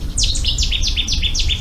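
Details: A Cetti's warbler sings in the marsh in front of the Urdaibai Bird Center during a live morning broadcast on 1 April 2020. Six loud, sharp notes each sweep steeply downward in a rapid, explosive burst.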